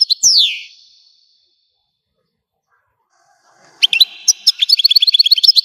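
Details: Algerian goldfinch gives a descending slurred whistle, falls silent for over two seconds, then resumes with sharp chirps and a fast, evenly repeated series of bright twittering notes.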